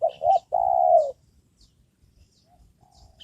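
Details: One cooing phrase from a trained spotted dove decoy used to lure wild doves: two short low notes, then a sustained coo sagging slightly in pitch, followed by a faint soft coo and quiet background.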